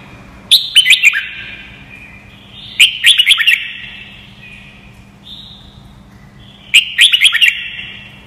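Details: Red-whiskered bulbul song played as voice training for young birds: three bursts of quick, bright warbled notes, each followed by a long ringing echo, spaced about three seconds apart.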